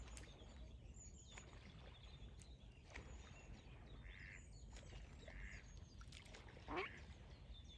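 Ducklings give a few short, soft peeps spaced over several seconds, set against a steady low rumble of background noise.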